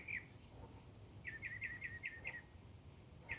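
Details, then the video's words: Singing mockingbird gives one sharp note, then a run of six quick identical downslurred notes in a row, ending with a single note again; faint low background noise throughout. "Mockingbird serenade"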